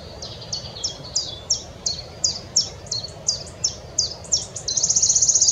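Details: Wood warbler singing at Oldbury Power Station on 9 May 2021: a run of high, thin, down-slurred notes, about three a second, quickening into a shivering, metallic trill at the end.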